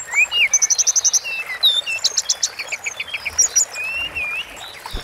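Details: Sunda forktail singing for masteran training: a rapid run of about eight even high notes, then rattles, a repeated note series and a final drawn-out whistled slur.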